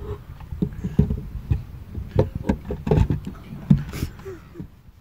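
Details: Smew (Mergus albellus), a rare species there, watched at long range at Hrušovská zdrž reservoir near Bratislava, Slovakia: low, irregular croaks and grunts in uneven bursts with soft clicks and knocks between.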